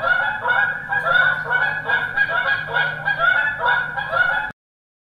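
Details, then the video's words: Migrating Canada geese, several birds honking together in overlapping, nasal, repeated calls that rise and fall in waves, then stop abruptly. "canadian geese migration"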